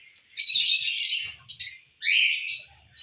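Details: Lutino and masked (personata) lovebirds, captive breeding birds, chattering: a harsh, buzzy high screech lasting nearly a second, a couple of short clicks, then a second rasping burst that fades out.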